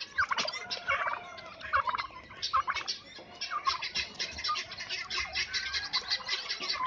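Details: Farmed turkeys, a group of seven or eight birds, fighting: rapid, harsh, rattling gobble-like bursts pour out in quick succession, with scattered higher squeaky notes woven among them and steady broadband noise beneath.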